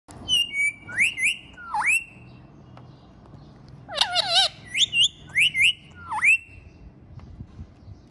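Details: Pet ringneck parrot dancing and talking, giving a run of sharp, rising whistled notes and harsh, warbling squawks in uneven bursts, about six phrases over eight seconds, with a low household hum beneath.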